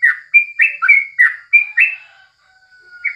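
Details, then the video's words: Yellow-vented bulbul singing in the morning, a tutor recording: about seven rich, slurred whistled notes in quick succession, then a thin drawn-out tone and one final chirp. "Masteran paling jitu saat pagi hari #crucukan"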